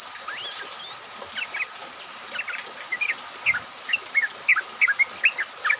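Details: Yellow-vented bulbul song, a lure for getting other bulbuls to sing, during rain; a rising whistled opening followed by spaced, short liquid chirps that grow louder and more regular toward the end.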